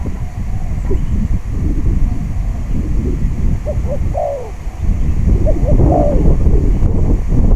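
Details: Spotted dove singing on a windy day at a traditional decoy-trapping session: two phrases of two short soft coos, then a longer falling coo, partly buried under loud low wind rumble.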